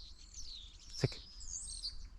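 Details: A common starling, the year's first, singing and mimicking many calls during an exceptionally warm, wet winter (17 February 2024), gives thin, very high whistles sliding up and down over about two seconds, a brief click midway, low outdoor rumble beneath.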